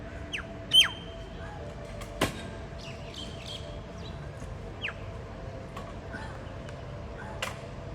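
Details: A common myna in the UAE gives scattered, unhurried notes: sharp downward-slurred whistles, clicks and a couple of harsh snaps, over a steady low background hum.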